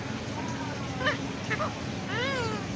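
An Indian ringneck parakeet utters two short, speech-like syllables, then a drawn-out word that rises and falls in pitch. A steady low hum runs underneath.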